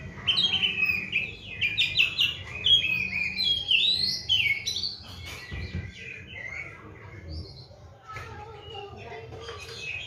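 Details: Oriental magpie-robin, a kept bird on seven crickets and twice-daily baths, pouring out a dense medley of whistles, chirps and warbles for several seconds, then quieter scattered notes with faint background noise.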